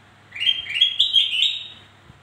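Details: Black-crested bulbul song for luring hesitant singers; a cheerful phrase of quick, clear whistled notes, rising and bubbling, lasting about a second and a half.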